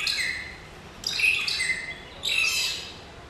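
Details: A curious buff-crested bustard at a zoo, thought to be a male, gives three harsh, squawking bursts, each with a thin whistled edge, spaced about a second apart, with no other clear sounds.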